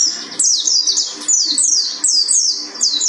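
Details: Mountain white-eye, pleci buxtoni from Gunung Karang, singing high thin slurred notes that sweep downward, each phrase repeated roughly every three-quarters of a second over a faint steady low hum.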